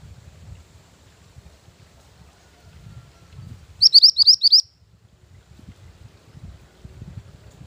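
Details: {'caption': 'Song of a mantenan gunung used as a lure and master recording for training: one short, loud burst of five or six high upslurred chirps amid steady low rumbling noise.'}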